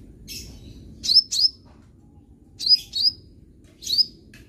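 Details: Young sunbird, a bird being trained to sing more: sharp, high, down-slurred chirps, several in close pairs, spaced irregularly across about four seconds over a quiet low background rumble.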